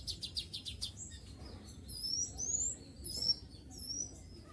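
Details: Captive, trapped sooty-headed bulbul used as a lure bird, calling wild bulbuls: short clicking taps at first, then high upslurred whistled notes in loose pairs with steady low rumble behind.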